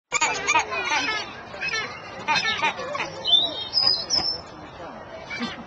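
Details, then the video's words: Unidentified birds at a family theme park, filmed on 14 April 2011, give rapid, sharp chirps repeated in quick bursts, with a few thin high whistled sweeps near the end, over a background of people talking and crowd babble. "Best bird noise EVER."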